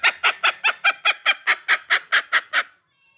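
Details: An angry pet cockatiel scolds with a steady run of about twelve harsh, grating squawks at an even fast pace, ending in silence.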